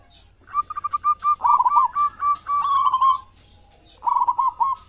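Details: Local zebra dove, a strong singer used as a lure for other doves in the morning and evening; a stuttering run of short notes swelling into a long rolling coo, then another trilled phrase.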